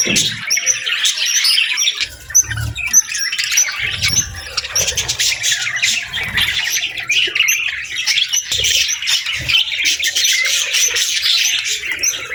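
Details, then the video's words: Afternoon flock of budgerigars keeping up an unbroken stream of squeaky chirps, buzzy warbles and thin whistles, several birds overlapping throughout. "Budgie Afternoon Whistles"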